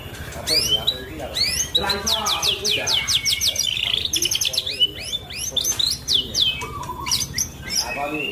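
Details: Rich varied song from a white-rumped shama in full voice, a contest-winning bird: fast bursts of high descending chips repeated in series, buzzy trills and clear whistles, delivered almost without pause; faint low hum beneath.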